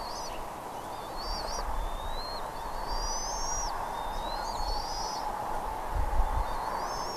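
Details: Bald eagle at Redding, 17 April 2021 at 08:15: a rapid series of high, thin whistles, some wavering and some hooked downward at the end. Low rumbling and steady hissing noise sit in the background.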